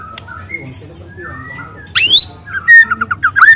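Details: Young wild white-rumped shama, recorded as a lure, opens with soft drawn whistles, then a sharp high sweep and a loud run of rapid slurred canary-like notes.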